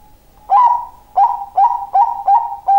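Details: Very loud cooing from a zebra dove, six crisp, bright notes in quick succession, each with a brief upward flick, steady in pitch against near silence.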